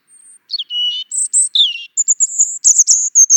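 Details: European robin in song, mixing a low drawn whistle and a downslurred note with very high thin sustained tones and a fast sparkling trill at the end.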